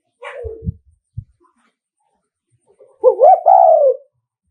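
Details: Spotted dove, a Nghệ An decoy bird, delivering a provoking 'thúc gù' coo to lure rival males: brief rustling and thumps first, then a low, hollow rising-and-falling coo phrase ending in a drawn-out note.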